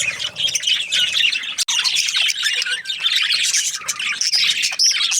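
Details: Budgerigars produce a lively jumble of high chirps and rasping squawks, layered and continuous, with a short dip in the sound early on.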